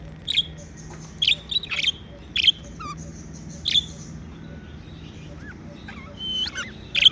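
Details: Budgerigars kept as pets chirping happily: sharp high chirps in small bursts, a pause with soft warbled notes, then a closing run of rising and falling twitters.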